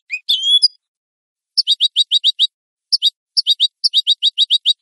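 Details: European goldfinch clean song for captive-bird training. It opens with a short buzzy twitter, falls silent, then delivers long runs of crisp, evenly repeated high chirps with brief pauses between groups. Quiet background.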